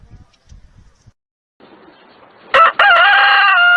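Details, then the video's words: Rooster crow starting after soft low rustling: two sharp opening notes, then a loud, drawn-out harmonic crow that holds steady to the end. "The sound of cock cock Warble roster sound"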